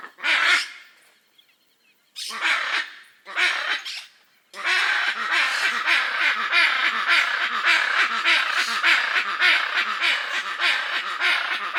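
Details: Hyacinth macaws of the Brazilian Pantanal, which live in noisy groups: a few harsh separate squawks, then a dense continuous chorus of rasping calls that runs on without pause.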